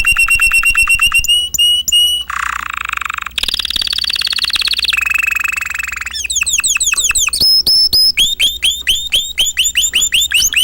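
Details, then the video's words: Caged canary singing a loud, varied song: rapid buzzy trills, a harsh rattling passage, then rolls of fast down-slurred whistled notes repeated several times a second, each tour switching abruptly to the next. "canary singer اقفاص طيور التسميع الكناري جميل جدا"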